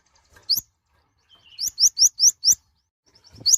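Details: Mouse-colored sunbird, locally konin, a very small bird with a loud voice: one high rising note, then a tight run of five bright upslurred whistles and a few faint high chips.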